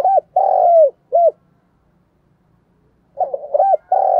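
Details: Spotted dove coo phrase of the 'thúc gù, giọng thổ' type, kept to lure wild doves: a long level coo drooping at its end and a short hooked note, then silence, then a stuttered start and another coo.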